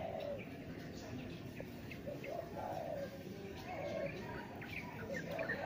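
Spotted dove giving soft, low cooing phrases at roughly one-second gaps over a steady background hiss, with faint chirps from other small birds.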